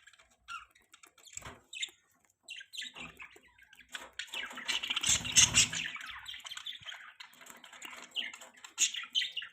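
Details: Pet budgerigars chirping: a busy jumble of high, scratchy warbles and twitters, densest in the middle, with a brief low rumble partway through.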